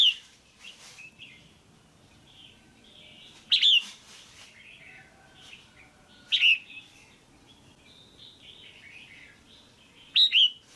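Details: Female red-whiskered bulbul, caged, calling for pairing or to stimulate a male: four loud clipped multi-note phrases spaced roughly three seconds apart, with continuous softer chirping and warbling from other birds underneath.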